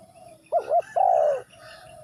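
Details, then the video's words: Spotted dove from Ninh Thuận calling: two short hollow coos followed by one longer, sustained coo dropping at its end, low and mellow, with a faint softer coo running underneath before and after. "Cu gáy Ninh Thuận"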